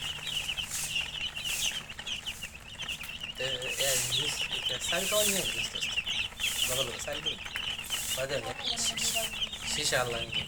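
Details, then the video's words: Dense chorus of domestic chicken chicks chirping, high thin peeps overlapping constantly, with scattered human speech over the chorus. "Murgi chicks Chirping sounds"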